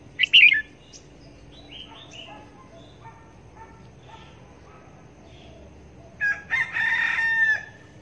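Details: Red-whiskered bulbul kept as a trapping decoy, calling while hung out for a trap test; a loud bright burst opens, soft warbled notes follow, then a rich harmonic phrase near the end.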